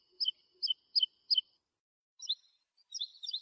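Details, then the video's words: Lark song for teaching young birds, quieter: four evenly spaced, crisp double notes, sharp and high, followed by a pause and a few more tangled chirps. "تغريد الولوال لتحفيظ الفراخ - chant d'alouette"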